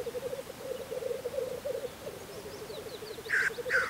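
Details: Spring black grouse lek in Russia, with a steady, purring bubbling song that grows in pulses, then two short hissing bursts right at the end.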